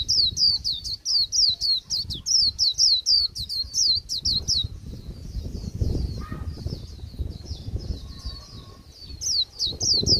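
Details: Japanese white-eye in late season giving a flat líu song: strong, rapid high downslurred notes for several seconds, a quieter blurred stretch, then the run resumes at the end.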